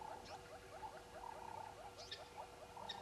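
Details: Red-billed hornbills giving a rapid run of hollow, mid-pitched clucking notes, several per second, at Djuma at 05:34 on 10/02/19; thin high chirps from other birds and a faint steady hum behind.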